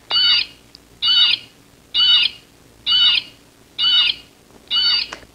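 Blue Jay giving six harsh, nasal jeer calls, evenly spaced about once a second, each short and scratchy with a slight downward slur.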